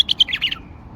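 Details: A tame, caged male bulbul in Baghdad gives a quick phrase of five or six bright, chirpy warbled notes lasting about half a second, then falls silent over a faint low hum.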